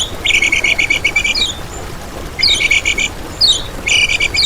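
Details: Lemon-bellied white-eye training and lure recording for trapping and for prompting other birds to sing: bursts of rapid, high, metallic chirped trills, each about a second long, separated by pauses, with steady faint background hiss.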